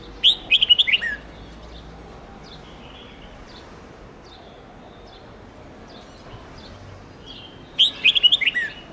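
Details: Red-whiskered bulbul singing for song training of young birds: a fast phrase of clear whistled notes, a long pause with soft distant chirps, then the same bright phrase repeated.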